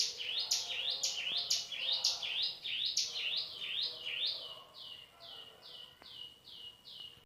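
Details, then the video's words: Male cigun, or hill prinia, in 'nembak' song with 'isian cisem' fill. Rapid rising chirps at about two per second shift midway into a cleaner series of evenly spaced, downslurred whistled notes, with one faint click. "suara tembakan cigun,,cigun isian cisem"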